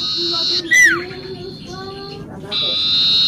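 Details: Lively common iora song meant as a lure: a long, even, high whistle broken by one sharp downward-swooping note, then the drawn-out whistle resumes over soft lower chirps.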